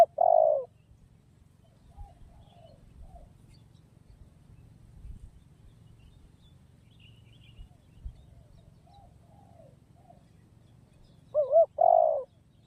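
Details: Two coo phrases from a spotted dove, one at the start and one about eleven seconds later. Each pairs a quick wavering note with a longer, falling tone. Faint chirps and a low hum fill the gap.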